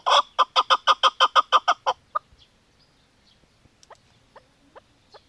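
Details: Female chukar partridge: a quick, even volley of about twelve loud clucks over two seconds, followed by faint scattered notes in near silence.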